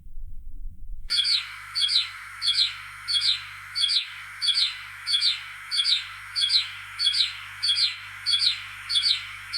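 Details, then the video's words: A sparrow gives bright, high double chirps in a steady run, about one and a half a second, over a faint low hum. "Sparrow Chirping"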